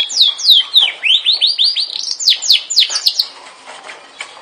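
A Yorkshire canary sings rapid, high, clear whistles: downward sweeps, then a fast rolling run of rising slurred notes, about four per second, tapering off near the end.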